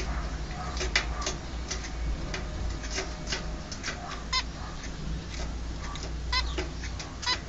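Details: Two baby zebra finches, caged and about to leave their birth cage, repeatedly utter brief harmonic nasal calls amid clicking perch sounds, with a constant low hum underneath.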